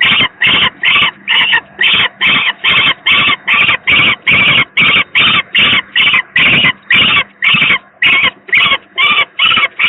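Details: Unwell second young peregrine falcon at the Gdynia PGE power plant nest, Poland, 18 May 2023, taken from a web stream: a long unbroken run of rasping, screechy notes, roughly two per second, about twenty in all, with a faint background hum.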